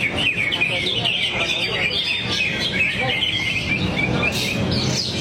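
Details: Greater green leafbird delivering its varied repertoire: a rapid unbroken stream of sharp chirps, trills and slurred whistles, with people talking softly behind and a brief hiss near the end.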